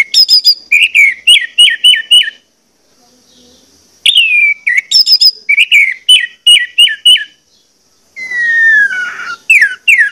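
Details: Lure song of an orange-headed thrush, played to make birds sing eagerly: quick runs of repeated falling whistles in three phrases separated by brief gaps, the last phrase a longer descending whistle.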